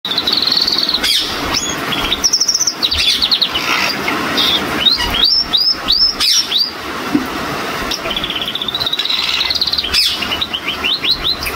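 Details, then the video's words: A male crested Gloster canary (Belgian canary) starts singing: a lively, high string of trills, rapid chirps and sweeping rising-falling whistles, with repeated rolling phrases near the end. "Gloster Male Start Singing"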